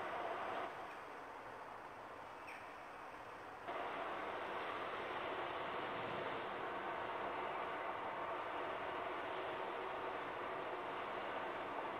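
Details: Steady broadband rumble of vehicles or a passing train, growing louder after a few seconds, with no animal voice present.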